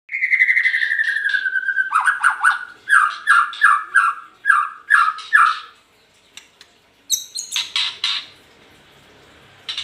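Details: White-rumped shama singing loudly: a long falling whistle, then a series of rich, evenly spaced, fluty phrases repeated about twice a second, a short pause, and a burst of harsher, high chattering notes.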